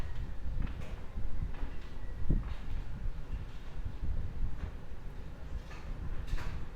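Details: Low rumbling background noise with scattered knocks and clatters, with no clear animal call.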